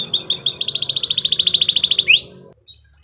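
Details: Kenari Nusantara canary giving a quick rattling trill of even pulses that ends in an upswept whistle, followed by faint high chirps.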